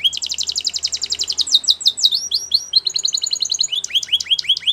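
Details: Belgian canary, a champion singer used for training, delivers a rapid high trill of identical notes, then shifts into sweeping downslurred notes and a steady ticking run, ending in falling swooping phrases.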